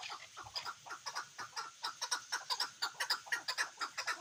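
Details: Hunting partridge, the chukar, calling a regular run of clipped chuk clucks about twice each second, steady and rhythmic, nothing else clearly audible.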